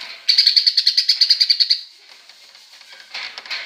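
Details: Greater green leafbird giving a sparrow-like chatter: a quick string of about fifteen evenly spaced, high, rattling chirps over one and a half seconds, then soft scattered twitters.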